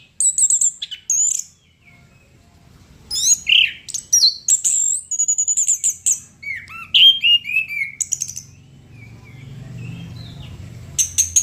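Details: Chestnut-capped thrush singing vigorously: bursts of high, sharp whistles and chirps, a short pause, then quick twittering phrases with downward slurs. A low rumble hums underneath toward the end.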